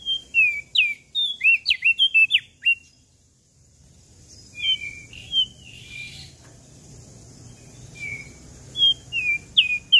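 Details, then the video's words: Lively song of a common tailorbird from Lombok. An opening burst of slurred, swooping whistles is followed by a pause, then scattered whistled phrases and a final quick cluster, over low background rumble. "Burung Prenjak Daun Lombok Gacor Full Isian"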